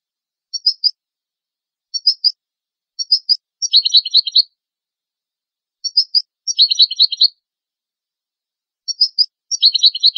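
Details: European goldfinch song used to teach young goldfinches and hybrid chicks to sing: short high twittering bursts repeated at irregular intervals, some followed by longer buzzy trilled phrases, against a clean silent background.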